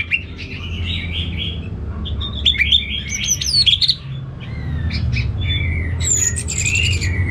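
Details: Caged orange-headed thrush (anis merah) from Singaraja, North Bali, kept for song contests, singing varied whistled phrases with sharp rising and falling notes and some harsher chatter over steady low background hum.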